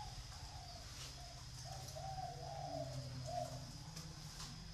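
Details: Zebra dove kept as a pet bird: soft, low, rounded cooing notes strung in an uneven run, over a steady low hum and background hiss.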